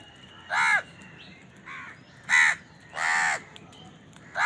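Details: House crows caw while feeding and squabbling over food: loud, harsh, drawn-out caws arching downward, four main calls spaced roughly a second apart with a quieter one between.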